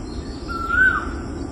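An Asian koel gives a single clear whistled note lasting about half a second, rising slightly in pitch, over a low rumble of background noise.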